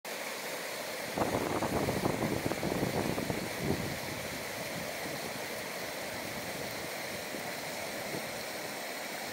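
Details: Rushing water and a low vehicle rumble fill the recording, with a louder burst of splashing early on and no animal voice.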